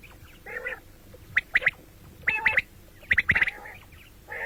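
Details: Common quail calling: broad nasal bursts followed by quick series of sharp, clipped notes in twos and threes, repeated through the clip against a low steady background hum.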